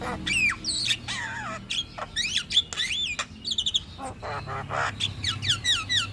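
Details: Javan myna, a caged bird in song form, used as a master recording to stimulate other birds; a varied medley of whistled slurs, rising and falling notes and harsh squawky bursts delivered in quick succession.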